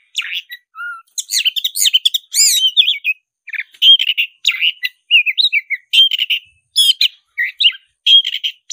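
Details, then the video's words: Black-breasted Oriental magpie-robin singing tirelessly in fighting mode: a long lively medley of harsh chattering notes, sharp chirps and looping slurred whistles, delivered in short bursts with brief gaps. "suara kacer dada hitam gacor tarung ngobra suara menggila"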